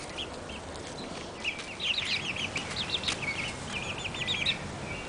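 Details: Barred Plymouth Rock chicks a month old, a group giving rapid high peeps that start sparsely and then run together into dense overlapping chirping, over steady background hiss.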